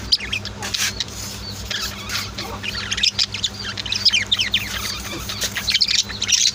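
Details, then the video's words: Pet budgies and lovebirds kept at home chirp together in a dense, continuous chatter of bright, high, rapid twitters, no music added, over a faint low steady hum. "Sweet Bird Chirping Sounds | Relaxing Voice of My Pet Birds"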